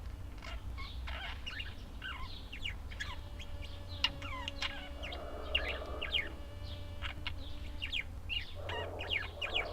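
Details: A busy flock of budgerigars fills the air with overlapping chirps and warbling squeaks, over a constant low rumble and faint hum.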